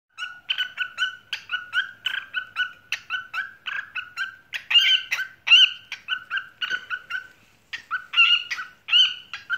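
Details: White lutino parrot singing its cookie cookie song: a steady string of short, clear whistled syllables with harmonic overtones, repeated in quick bursts with brief pauses.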